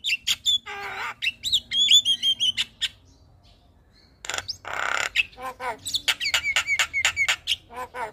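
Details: Javan myna morning calling intended to trigger replies from other mynas: squeaky whistles and harsh rasps, a brief lull, then a loud grating burst followed by quick repeated chips and whistled notes.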